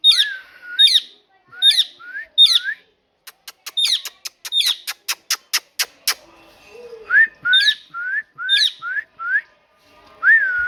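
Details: Parrot said to be talking, alternating high squeaky chirps with rising whistled notes; a rapid row of sharp clicks sounds in the middle before the whistles and chirps resume.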